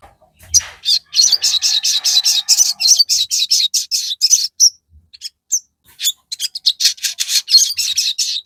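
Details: Crested jay in busy, uneven chatter: dense high notes in runs, broken by short gaps, with a faint low tone early on.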